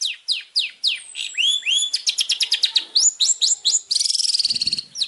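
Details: Master song from a champion long-tailed shrike for training contest birds: a series of sharp downslurred whistles, then rapid clicking notes and a fast buzzy trill, ending with a single whistled note.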